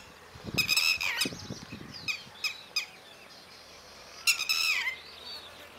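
Northern Lapwing giving hoarse, wheezy, down-slurred calls in a quick burst of several notes, with another strained call near the end; a few soft low thumps early on.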